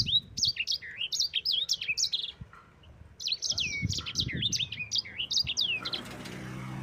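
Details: Yellow-fronted canary in a long rolling song used to train other cage birds: rapid bursts of shrill, looping whistled notes, a brief pause near the middle, then more twisting phrases with soft low knocks and hiss.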